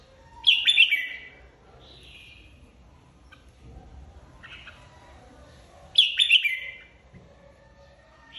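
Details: Red-whiskered bulbul, a flock leader newly separated into an aviary, in competitive singing: two loud, bright warbled bursts about five seconds apart, with a softer whistled phrase between them and quiet background.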